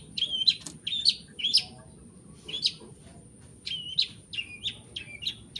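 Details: Long-tailed shrike singing in 'toet toet' style, joining imitations of prenjak, sparrow, petir and kunti: quick bursts of sharp, high, slightly falling chirps, a short pause midway, then another rapid run.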